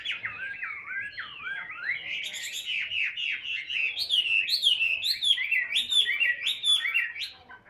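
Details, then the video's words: Chinese hwamei of the ngũ trường song style, a caged Vietnamese fighting bird that spreads its tail, singing in hand: continuous wavering whistles sliding up and down, then brighter, higher looping phrases repeated in quick succession. "HM 203 ngũ trường siêu mẫu đấu xòe cầm tay hót"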